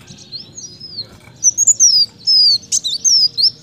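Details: Energetic kolibri daun performing canary-style song: after a quiet start, a string of high sweeping whistles and short sharp chirps, some notes drawn out and falling, over a soft steady background hum.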